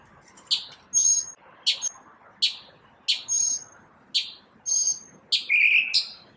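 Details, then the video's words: Morning calls from a lone bird: short high chips roughly every three-quarters of a second, some followed by a thin whistled tail, ending in a lower buzzy note, with soft background hiss. "Birds chirping | Bird chirping sounds | Bird singing | Morning bird sounds"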